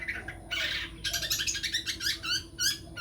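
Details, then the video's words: Long-tailed shrike, a champion-hopeful songbird, gives a loud harsh rasp followed by a rapid run of squeaky, buzzy chattering notes and quick whistles, above a steady background hum. "kicau mania || calon cendet juara"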